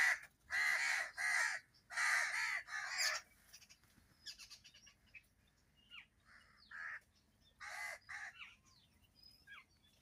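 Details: Crow calling loudly among other birds: harsh broad caws in a rapid burst early on, then quieter scattered chirps and short notes from other birds, with a second run of caws near the end.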